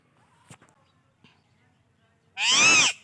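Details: Indian ringneck parakeet, kept alongside alexandrine parrots: a few faint clicks and taps, then one loud, harsh, rasping screech lasting about half a second, arched in pitch and rich in overtones.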